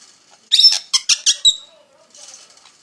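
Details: Parrot chirping: a burst of four or five short, high, squeaky chirps in quick succession, then a faint, softer chatter after a brief pause.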